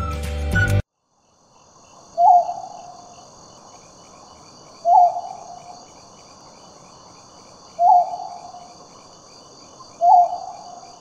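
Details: Serendib Scops Owl, a strictly nocturnal endangered Sri Lankan endemic calling at dusk and before dawn, gives single short, low hoots every two to three seconds over a steady high buzz of night insects.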